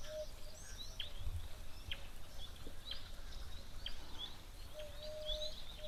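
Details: An emerald-spotted wood dove at an African waterhole, 13 February 2025, gives soft, low, hollow coos at the start and end, while sharp high chirps from other birds and a steady low rumble continue throughout.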